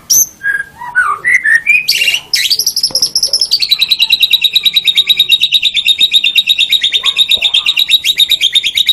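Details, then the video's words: White-rumped shama master song for training songbirds: varied whistled opening notes at different pitches, then a long fast buzzy trill repeated rapidly for several seconds. "SUARA MASTERAN - Ocehan Burung Murai Batu"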